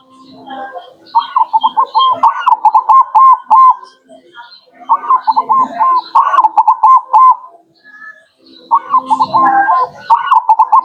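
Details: Zebra dove (local perkutut) song used to attract wild birds: three phrases, each a fast run of short stuttering notes ending in several rising whistled coos, with faint background chatter.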